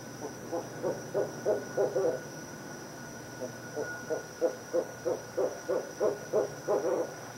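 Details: Barred owl visiting on December 22, 2011 at 5:57 pm: a run of low, evenly spaced hoots about three per second, a brief pause, then a longer steady series, over a faint constant hum.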